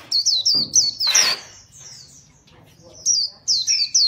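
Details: Competition fighting white-eye, song style called chòe: rapid high, thin, downslurred chirps in quick runs, broken by a loud broadband rasp and a short pause before the phrases resume.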